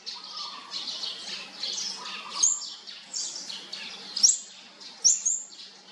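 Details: Olive-backed sunbird chicks of a fourth brood being fed: a run of hissing, raspy rasps and a low whistle, then four clipped very high chirps in the last seconds.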